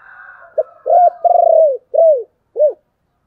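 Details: Spotted dove cooing in the 'chìm' style, a lure call meant to stir a decoy bird. A quick run of five low, arched coos: a brief opener, two longer throaty notes with a slight stutter, then two short falling coos. A faint higher murmur comes first.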